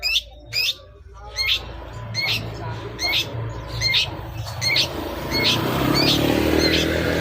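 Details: Long-tailed shrike used to provoke a reply: a series of short downslurred calls about every three-quarters of a second, gradually drowned by rising broadband hiss and rumble.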